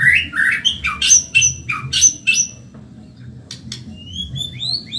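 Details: Caged-bird training song from a white-rumped shama of the Medan variety. Rapid burst of high, buzzy, rising chirps repeated about once a second, then thinner whistled slurs climbing and falling. Soft low hum beneath.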